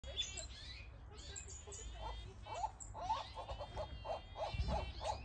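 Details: Diamond firetail in an outdoor mixed aviary giving short, nasal, slightly rising notes about twice a second, over thin high chirps and a low background rumble.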